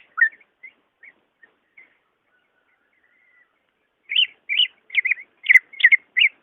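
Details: Greater green leafbird song for prompting a caged bird that rarely sings: a few soft scattered notes, then a lively sequence of loud, varied whistled phrases.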